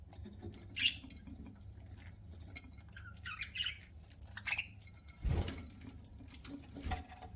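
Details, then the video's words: Parakeet (budgerigar) chirping as it eats: scattered short squeaky chirps and a quick chattering burst, interrupted by a dull thump and light clicking of food handling. "PARAKEET EATING SOUNDS"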